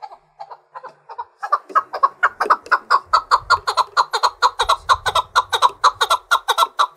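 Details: Chukar partridge trained for fighting sings to challenge rivals: a few spaced soft chuk notes build into a loud, evenly paced run of clucking notes about two per second.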